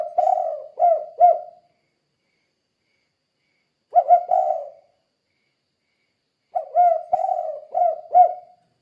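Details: Tekukur calling in the lively 'kuk 2' pattern to prompt other doves to call: three bursts of low mellow coos, the first and second partial, the last a full four-note phrase, spaced by quiet gaps.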